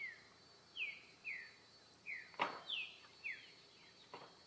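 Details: Wild green-winged saltator, singing the repetidor style of song in nature: clear whistled notes slurring downward, given about every half second, with one sharp click partway through and faint background hiss.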